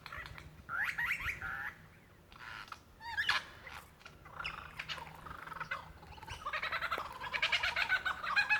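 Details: Lyrebird in Dandenong Ranges National Park, Victoria, Australia, February 2016, calling for a female, mimicry including kookaburra; harsh varied phrases build into a dense, rollicking, laughter-like chorus toward the end.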